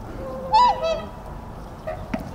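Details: Tundra swan recorded on 21 January: one short nasal honk rich in overtones, followed by a softer trailing note, then steady low background rumble with a faint later call.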